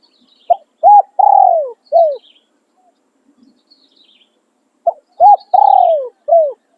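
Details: Spotted dove used as a decoy for trapping, singing in the khan riak and khan yon styles: two clean cooing phrases about four seconds apart, each a short coo, a clipped double note, a long falling croon and a final coo. Faint high chirps behind.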